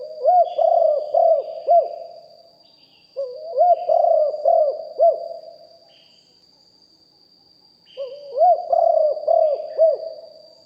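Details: Spotted dove cooing in the big-voice style, recorded live from a decoy bird: three phrases of low, bubbling coo notes, each a rapid run of four or five arched notes, with a steady high whine behind.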